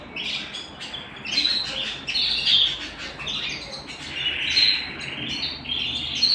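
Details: Indoor canary delivering warbled phrases of bright chirps that swell and fade in waves over several seconds.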